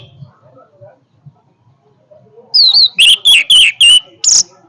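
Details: Orange-headed thrush giving a powerful song: after about two and a half seconds of near quiet, a loud burst of rapid, sharp whistled notes repeats in quick succession and ends on a higher, thin note.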